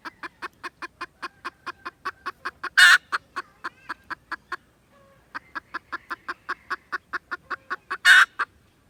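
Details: Red junglefowl, recorded 16 December 2021, giving quick evenly spaced clucks at roughly four per second in two runs separated by a short silence, each run interrupted by a loud broadband burst.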